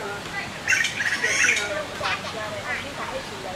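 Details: Taiwan blue magpie chicks give loud harsh, raspy, squealing begging calls, then two or three fainter scratchy calls, while parents forage for them. Recorded 9 June 2012 at Qianshan Park, Yangmingshan, Taipei.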